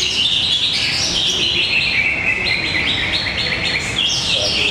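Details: Singing contest of greater green leafbirds at an arena in Tapos, Depok: a continuous stream of bright, high warbled phrases and rapid chirps, with steady background hubbub.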